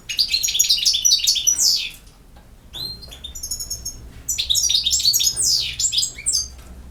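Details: European goldfinch singing in the campero song style: two bursts of fast, tinkling, high twittering with buzzy slurred notes, separated by a quieter stretch of scattered chirps.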